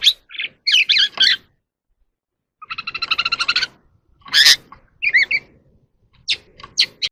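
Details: An evening oriental magpie-robin in the wild sings during a dancing display. Whistled warbles and chips are broken by a rapid, harsh, even rattle of about a dozen pulses, then more sharp, high notes, with quiet gaps between phrases.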